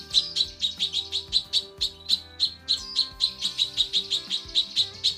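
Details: A tutor recording of a female cucak kinoi calling the male: a continuous chain of short, sharp, high-pitched chirps at a brisk even pace, with music in the background.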